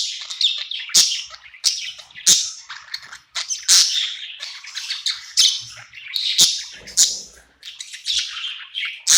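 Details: Night-time budgie, happy in its new home, pouring out a rambling warble of grating chatter, squawky bursts and thin chirps, loud notes recurring irregularly.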